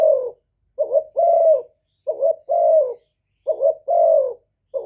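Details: Spotted dove repeating a male-provoking coo in steady cycles. Each phrase has a brief warbled note and a drawn-out, gently descending coo, about four cycles in quick rhythm on a quiet background.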